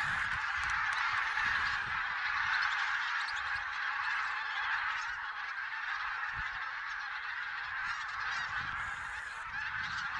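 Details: Geese in Silesia, Poland, 11–13 November 2016, during a goose count, with barnacle, white-fronted, greylag and bean geese present: a large flock honking continuously, many overlapping nasal calls blending into a dense, steady chorus without pauses.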